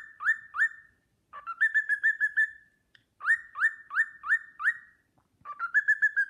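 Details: Sportpalast Waltz whistled by a pet cockatiel: pairs and runs of upward-swooping pure notes, a flat rapid trill, more rising notes, and a closing trill, all clean with quiet pauses.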